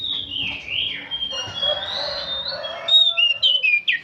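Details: An old oriental magpie-robin singing nonstop: a long drawn whistle opens, a blurred stretch of mixed notes follows, then a quick run of short, clear, sliding whistles at the end.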